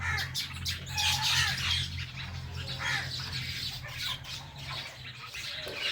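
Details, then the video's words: Pair of pet Indian ringneck parrots, including a blue one, giving dense rasping squawks and chirps in rapid uneven succession, loudest near the start, with a low hum underneath. "Our Blue Ringneck Parrot | Natural Parrot Chirping Sounds and Voices"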